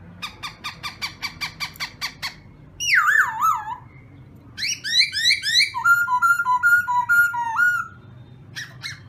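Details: A black-throated laughingthrush sings for morning voice training: a fast train of clicking pulses, a loud wavering descending whistle, a burst of rapid warbled notes, then level repeated whistled notes before falling quiet.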